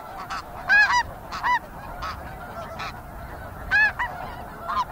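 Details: A fairly busy flock of snow geese calls, nasal yelping honks overlapping at irregular intervals, some close and loud, others farther off, with occasional flight sounds and insects over a steady background murmur.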